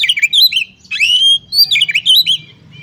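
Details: A female Oriental magpie-robin calls a male to get it singing, giving rich whistled phrases that swoop up and down with quick twittering notes between them, over a faint low hum.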